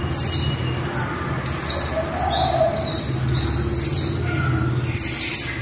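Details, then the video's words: Female white-eye, líu song: bright, high-pitched warbled phrases, each opening with a loud descending sweep, starting again roughly every one and a half seconds, with soft chatter between bursts. "Khuyên mái líu đẳng cấp THẾ GIỚI"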